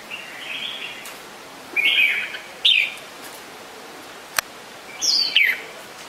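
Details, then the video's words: Spaced, warbling phrases from a red-whiskered bulbul, each short and slurred, separated by quiet gaps, with a single sharp click midway. "นกปรอดหัวโขน - Red-whiskered Bulbul call very well"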